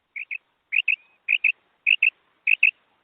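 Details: Female quail call used to lure quail for hunting: high, sharp chirped notes given in quick pairs, each pair repeated about every half second, clean with no other sounds.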